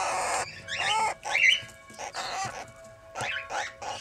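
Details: Captive two-year-old red-winged parrot pair with their first brood of 20-day-old chicks: a series of harsh, chattering squawks and rising or falling screechy notes in short bursts, with pauses between them.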